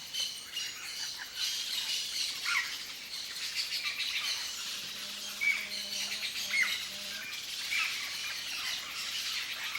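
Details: Free-living yellow-faced parrot in Brazilian Cerrado habitat: rough, broadband squawks come in loose bursts, with brief sharp whistled notes near the middle and a low steady hum underneath.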